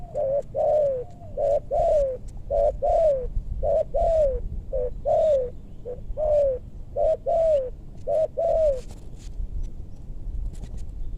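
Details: Spotted dove calling in maranti woodland in west Bogor, Indonesia, during bird trapping aimed at deep-voiced birds; a run of low, hollow coos in paired notes, each second note sliding downward, repeated steadily for about nine seconds, then quiet.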